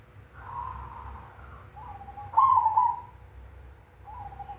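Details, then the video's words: Zebra dove of the cemani variety singing in the big 'kung' style: a short soft cooing note, then a loud rolling coo near the middle, followed by faint low beads; steady low hum underneath. "Perkutut cemani suara kung besar"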